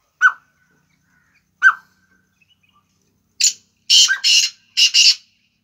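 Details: Black francolin calling: two short, clipped notes about 1.4 seconds apart, followed by a loud, harsh, grating phrase of four rasping bursts in quick succession, with a quiet background.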